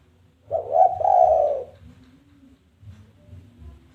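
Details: Spotted dove challenge call, used as a lure to make other doves call back: one low cooing phrase, a short coo sliding straight into a longer drawn-out coo, then a faint low hum.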